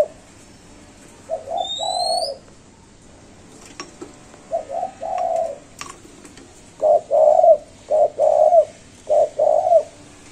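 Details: Spotted dove giving its five-note cooing, rendered locally as "cục... cu cu...cu ...cu". Soft, low, hollow coos come in short groups, with a longer run of evenly spaced notes near the end. A faint high rising whistle from another bird is heard early on.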